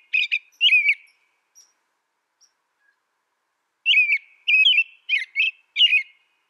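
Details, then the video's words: Caroling song of an American robin in two groups of liquid whistled phrases, the first three short notes, the second a faster run of five, separated by a quiet pause of about three seconds. "American Robin Bird Song Sound"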